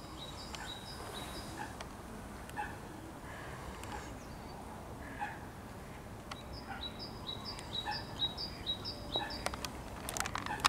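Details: A great tit, recorded 20 March 2023 alongside a coot, sings bright, high two-note phrases, repeated quickly in two bursts, over steady background hiss with scattered lower bird calls.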